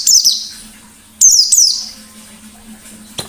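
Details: White-eye ngalas song from a lure recording: two brief bursts of shrill, rapidly falling chirps a second apart, followed by near quiet with a faint hum and a soft click at the end.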